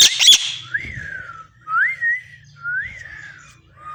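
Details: Pet parrot vocalizing indoors: a harsh squawk opens, then three smooth rising-and-falling whistled notes about a second apart, with a low background hum.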